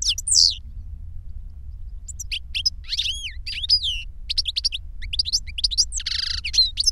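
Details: Caged European goldfinches, a tutor male and a young bird that learned his song from a recording, singing together; bright high twittering phrases with clear rising whistled notes and a short buzzy burst, sung in bursts with brief pauses, low hum beneath.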